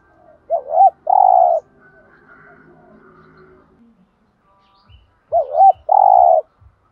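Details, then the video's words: Spotted dove cooing in the 'thúc gù' style to spur other doves to call: a wavering double note and a long steady coo, a quiet gap with faint murmur, then the same phrase repeated. "tiếng chim cu gáy kích bổi/tiếng thúc gù bài bản giọng hay giúp bổi nhanh gáy"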